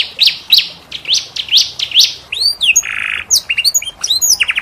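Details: Canary singing a unique cengkok tutor song for other canaries: a run of rising whistles over a high wash of sound, arched loops, a low buzzy burst, then quick high chips.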